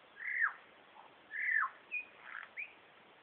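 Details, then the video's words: Superb lyrebird, a male singing from behind bushes, imitating birds such as kookaburra, whipbird, whistlers and magpies, plus a laser gun. Loud downward-slurred whistles repeat about every second, followed by shorter upswept notes. "Superb Lyrebird call"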